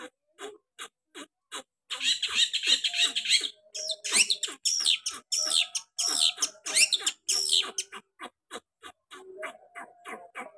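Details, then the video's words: Long-tailed shrike singing energetically with sharp 'tembakan' variations: spaced dry clicks give way to dense, harsh, buzzy bursts of chattering notes, then a return to scattered clicks. "Cendet Gacor Variasi Tembakan Tajam"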